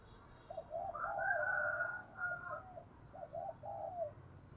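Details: Spotted dove calling, used to lure wild doves: a series of low, soft cooing phrases, some rolling and some drawn out, with a brighter sustained tone above them through the middle and faint background hiss.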